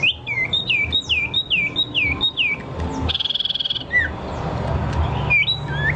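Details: Bird song of repeated falling whistled notes in a quick run, followed by a brief harsh buzzy burst and a couple of single downslurred whistles; background rumble throughout.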